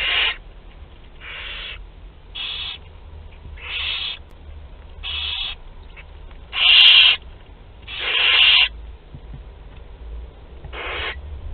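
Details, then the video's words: Barn owl nestlings from two to twelve days old sharing food at Théding, France, 29 April 2021; many short raspy screeches from several chicks, soft and loud mixed, roughly every second, two louder ones midway. "Repas de groupe (2-12 jours) - 29/04/2021 - Les Chouettes Effraies de Théding"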